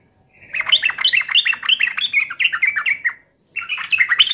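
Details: Yellow-vented bulbul taunting a rival: one sustained fast phrase of liquid, bouncing, bubbly notes lasting nearly three seconds, a short pause, then the chatter resumes.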